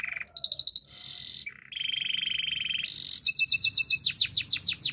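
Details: Canary training song: varied tours of high metallic trills, a sustained buzzy rattle, then a ringing series of rapid repeated down-slurred whistled notes over faint low background hum.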